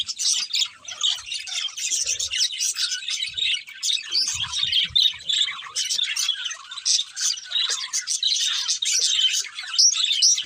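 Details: Two pet budgies chirping together, a long run of fast, raspy warbled chatter and thin squeaks that hardly pauses, with occasional soft low bumps in the background.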